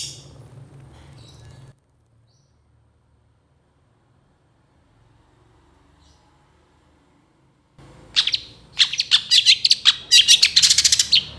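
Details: Long-tailed shrike in lively song, a masteran recording with 'tembakan' (shot-like) bursts as fill. Nearly eight seconds of near silence, then loud, rapid bursts of sharp, high chirps and rattling notes, repeated several times a second.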